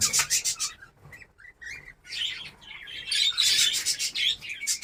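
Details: Budgerigars kept in a breeding colony in Darbhanga, Bihar, India: bursts of rapid high twittering chatter, a short quieter pause with a few thin rising whistles, then the crowded chirping returns.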